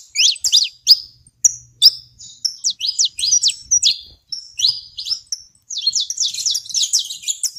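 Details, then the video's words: Saffron finch singing on a rural smallholding in Brazil: a lively run of sharp, high chirps and quick downslurred notes, delivered in bursts with short pauses between phrases. "canário da terra na minha roça"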